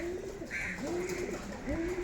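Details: Domestic pigeons in a loft coop, a breeding pair among them, cooing in low, soft, rolling phrases that swell and fade.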